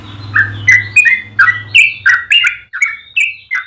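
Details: Yellow-vented bulbul in full, long-running song used as a master track to train and provoke other bulbuls: loud bubbling whistled notes near mid pitch, repeated about three per second, with a low hum underneath at first.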